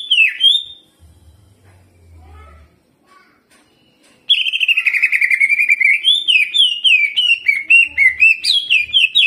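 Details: Energetic greater green leafbird, caged, delivering jamtrok song with ciblek imitation and rolling. One bright slurred whistle, a pause of nearly four seconds, then a fast rattling trill followed by rapid varied whistled phrases.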